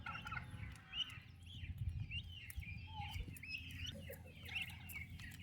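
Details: Turkey chicks, described as healthy and active, with their mother. Thin high peeps, some rising and some falling, scattered through the clip. A strong low rumble of background noise runs underneath and is louder than the calls.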